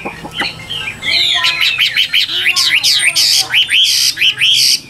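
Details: Chinese hwamei, Tam Hoàng type, known for a rapid sewing-machine delivery. After a soft start it bursts into loud, ringing whistles that swoop down and up, repeated in quick succession.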